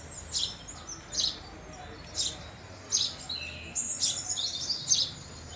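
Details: Spaced single chirps of house sparrows that give way to a quicker burst of twittering near the end.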